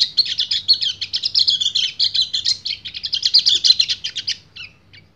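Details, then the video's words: A male white-eye calls a female in breeding condition with long ngecir song. Quick, high, jumbled twitters run for about four and a half seconds, then trail off into a few scattered notes. "PLECI GACOR NGEBREN - KECIAL KUNING BIRAHI MEMANGGIL BETINA"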